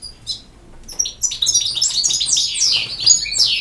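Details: European goldfinch song: a few sparse, high chirps, then from about one second a fast, continuous jumble of tinkling, twittering notes and buzzy trills, all high-pitched and slightly rising in intensity toward the end.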